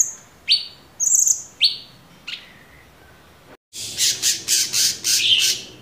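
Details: Orange-bellied leafbird (cucak cungkok), a cage bird, in a master recording for training other cage birds: sharp separate chirps and downslurred notes, then after a brief cut a fast run of dense, high, buzzy bursts.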